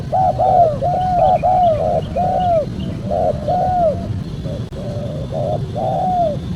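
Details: Spotted dove lure recording for attracting wild birds. Clear, soft coos come in clustered phrases of three or four notes, pausing briefly before resuming more quietly, with a low background rumble throughout.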